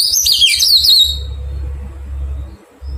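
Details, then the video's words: Newly caught Oriental magpie-robin being tamed delivers a short burst of high, twisting warbled notes, then a steady low hum fills the remaining seconds. "Thuần hóa chòe than bổi"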